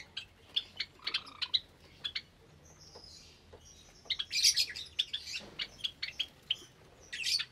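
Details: Java sparrows with many chicks in an aviary, morning of 8 May 2022; scattered sharp tweets, a short lull, then a burst of loud, overlapping squeaky chirps from several birds.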